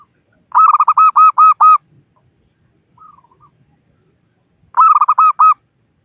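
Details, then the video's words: Local zebra dove calling to rivals, a lure call for trapping: two loud bursts of about seven rapid, stuttering cooing notes, clipped and bright, with a soft short coo series between them and quiet background. "Suara Burung Perkutut Lokal Pikat Gacor Ahlinya Memanggil Lawan"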